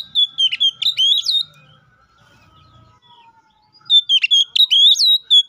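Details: Rival-calling 'ngeplong' song of an Oriental magpie-robin, played as a lure for other kacer: a burst of piercing whistled notes with sharp upsweeps, near silence for two and a half seconds, then a second burst.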